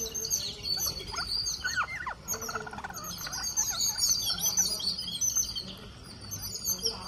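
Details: Green parakeet in India, calling while feeding: dense, rapid high-pitched chirps and twitters overlap throughout, mixed with short down-sweeping notes, over a steady background hiss.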